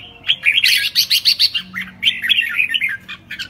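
A red-whiskered bulbul sings a fast run of bright, liquid chirping notes in two quick bursts, with a faint low hum behind.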